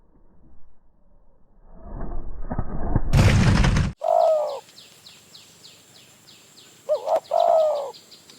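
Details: A loud rustling, blowing burst opens, then a wild spotted dove near Phrae, Thailand, drawn in by a decoy, gives two low, rolling coo phrases. Soft high chirps and an insect whine continue behind.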